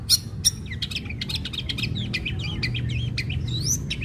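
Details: Long-tailed shrike singing as a lure to prompt other shrikes to sing: a dense run of varied chirps, whistled slurs and sharp harsh notes, rising and falling quickly, over a low steady hum.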